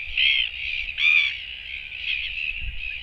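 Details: Lone Royal Albatross chick, camera-recorded on 24 July 2024 on a day without parents coming back: two strong nasal calls a second apart, trailing into a steady, wavering high-pitched call under low rumble.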